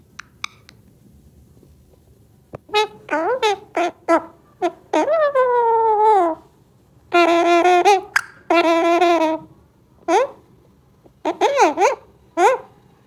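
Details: A tame Alexandrine parakeet talks in harsh, nasal, word-like bursts, some long and wavering, others short clipped syllables, with quiet pauses between phrases.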